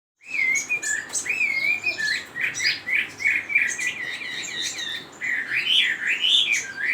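A Chinese hwamei sings a rich, continuous run of loud, varied whistles, slurred up and down and repeated in rapid phrases, with little else heard.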